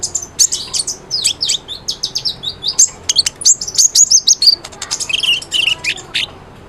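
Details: High-energy konin sunbird song meant to stimulate a mute bird: fast, tinny twittering with sharp upslurred and downslurred chips, rolling into lower-pitched rapid notes near the end.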